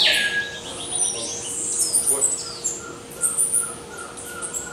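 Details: Violaceous euphonia of eastern South American forests giving high, thin whistled chirps and short squeaky notes, scattered irregularly amid a busy mix of other twittering birds and a faint hum.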